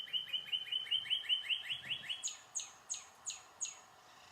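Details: Northern cardinal, a winter bird at Sutton, Québec, sings a rapid run of about eleven short, down-slurred whistles, then five slower, higher notes that sweep steeply downward.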